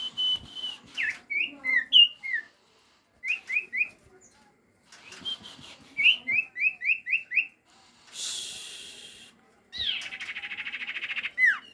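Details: Common iora calls used as a lure to draw answering birds at night: clear whistled notes near two kilohertz, then quick runs of short downslurred whistles, a brief hiss of noise, and a fast buzzy rattle.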